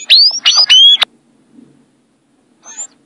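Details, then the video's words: Sayaca tanager in violin song: three quick, high, squeaky whistles, each sliding up and leveling off, delivered within a second, followed by silence and one faint thin note. "SANHAÇO AZUL - Canto Violino"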